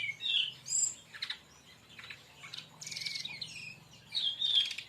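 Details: Brown-chested jungle flycatcher song for luring or training other birds, made of high sharp whistles and buzzy chirps in uneven bursts, with a low steady hum underneath.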